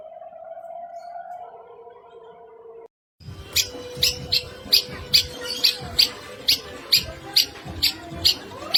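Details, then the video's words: Steady tonal hum, then a short silence, then a long-tailed shrike repeating sharp, high chirping notes about twice a second against noisy, clattering background sound. "Cendet Isian Mewah"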